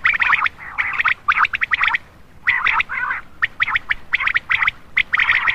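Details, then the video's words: Common quail calling at night as a lure for males: bursts of crisp, rapidly repeated notes, some longer and rolling, separated by short gaps and repeated steadily. "Attractive common quail for male part 6/ Batair Ka Bulara rat Ka lea"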